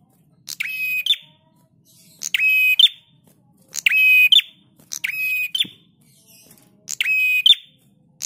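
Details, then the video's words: Master recording of a Prinia for training cage birds: five rasping, buzzy bursts with a whistled tone running through them, sounded at irregular intervals of one to two seconds against faint low background noise. "Masteran Prenjak Tamu GACOR"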